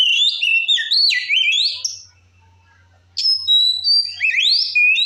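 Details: Oriental magpie-robin singing in the loud, open ngeplong style, used to provoke other magpie-robins: rich whistled phrases that slide and leap between high and low pitches, a pause of about a second, then a fresh burst of sweeping notes.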